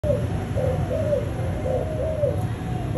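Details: A young spotted dove gives its cooing call in soft, low, hollow coos in quick repeated phrases, about two a second, over a steady low hum.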